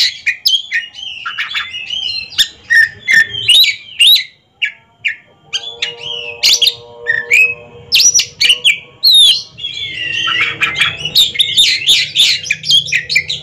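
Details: At a ring song contest, two caged Oriental magpie-robins go head to head: varied whistles, rattles and scratchy bursts, with a steady low tonal hum underneath in the middle stretch.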